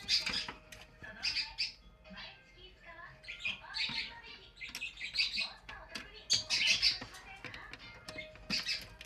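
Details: Active green-cheeked conure in a pet shop, giving harsh, scratchy squawks and chattering chirps in irregular bursts, several per second at times, with faint indoor background noise. Green-cheeked conure.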